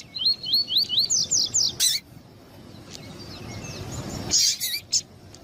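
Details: Calling female double-collared seedeater, kept to stir up a male; a burst of high, rising, slurred chirps repeated rapidly for two seconds, then quieter faint notes and a few sharp clicks.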